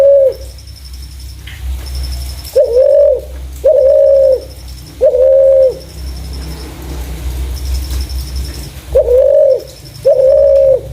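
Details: Clear-voiced spotted dove suited as a lure for doves, giving steady drawn-out coos with a slight upward flick at the onset, irregularly spaced with quiet gaps, with a faint high ticking and low hum behind.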